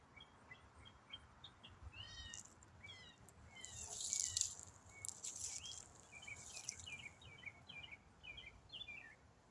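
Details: Autumn songbird singing one complex riff non-stop for minutes: varied high whistled and slurred phrases, quick repeated notes and downward sweeps, some bursts of higher hiss mid-phrase, over a low background rumble.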